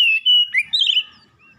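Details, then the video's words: Brief oriental magpie-robin gacor snippet: a sustained level whistle, a short rising slur and a bright warbled flourish that fades out. "KACER MALAS BUNYI TERPANGGIL LANGSUNG TAK HENTI HENTI GACORNYA"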